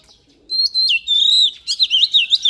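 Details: Oriental magpie-robin, trained for singing competitions, delivering loud pure whistles: a long level note sliding downward, then a rapid series of looping, warbled whistles repeated several times a second.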